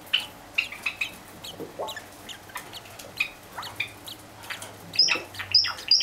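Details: Two cherry (sakura) Java sparrow chicks, six and four days old, calling for food in the morning; rapid series of short, high, thin chirps repeated about twice a second, growing louder toward the end, over a faint low hum.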